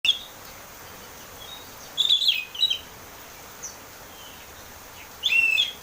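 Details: Oriental magpie-robin singing in the ngeplong style, used as a lure to get a caged bird singing: bright whistled phrases with sliding notes near two seconds and again near five seconds, faint soft notes between, light background hiss.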